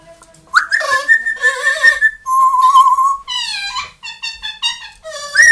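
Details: Indoor pet parrots, a two-year-old grey parrot and a one-year-old Amazon, singing and imitating: sustained musical whistles, a long steady whistled note, then a run of short harmonic hoots ending in a rising squeal.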